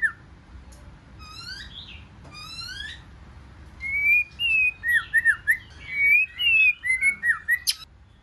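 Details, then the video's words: Wild-caught white-rumped shama singing a competitive 'forest voice' song: sweeping upslurred whistles, then a rapid run of varied fluty whistles and warbled notes with sharp high accents, fairly quiet low background hum throughout. "Chòe Lửa Hót Giọng Rừng Kích Chòe Lửa Bổi Hót Đấu"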